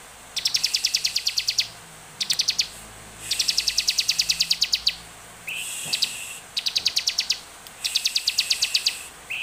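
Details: Olive-backed tailorbird used as a lure to make other birds sing: bursts of rapid, high, dry trilled notes, each run lasting about a second with short pauses, plus a few upslurred chips.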